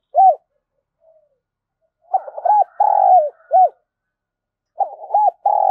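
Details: Caged spotted dove trained as a decoy for trapping wild doves gives low, deep cooing. A last coo is followed by a full phrase of a rough start, a coo, a long buzzy croo, and a final coo, then another phrase begins.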